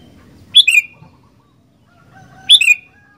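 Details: Sooty-headed bulbul giving two bright slurred whistles, each a quick downward-dropping double note, about two seconds apart, with soft low background rumble.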